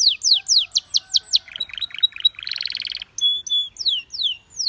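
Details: Belgian canary in song, said to set many canaries singing: repeated downward-slurred whistles, lower chips, a dense buzzy trill, brief steady notes and more falling slurs.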